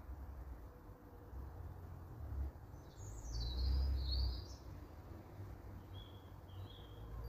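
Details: Young Eurasian blue tit giving a run of high, thin, slurred chirps midway, with a few fainter high notes near the end; constant low rumbling background noise.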